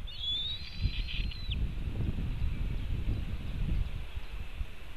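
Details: White-tailed eagle at its nest in Latvia, caught by a nest webcam on 4 July 2018 at 5:08 pm while one eagle steals part of a fish from another; one high, thin, drawn-out call over the first second and a half, then steady low wind rumble.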